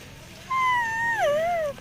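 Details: A talking rose-ringed parakeet at a bird market in Mirpur 1, Dhaka, Bangladesh, on 20 November 2023 gives one drawn-out, voice-like note about a second long, fairly level, dipping and lifting at the end.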